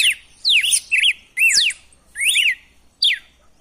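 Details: Red-cowled cardinal wild song, used to stimulate a captive male to sing: loud whistled notes sweeping steeply down, alternating with arched up-down slurs, five phrases in under four seconds with short gaps between.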